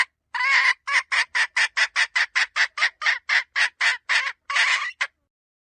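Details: Chicken hen producing a long, steady chain of about eighteen harsh, buzzy notes at a quick, regular pace. A slightly longer note closes the run, against a quiet background.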